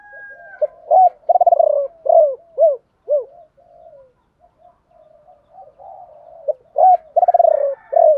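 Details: Spotted dove used as a lure, giving its 'ba hậu' song: a rolling coo and three arched notes, then quiet murmuring. The phrase begins again at the end over a faint background tone.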